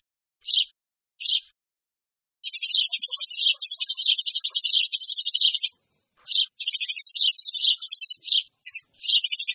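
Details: Lure recording of noisy Eurasian tree sparrows: short high chirps, then long bursts of rapid, harsh chattering chirps lasting about three seconds, separated by brief silences. No other sounds are heard.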